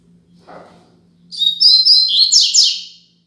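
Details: Tutor song of a double-collared seedeater in the coleiro Braddock 'Tui Tui Zel Zel' style for teaching young birds. A soft low rustle comes first, then a bright whistled phrase that breaks into fast buzzy descending trills. A steady hum sits beneath.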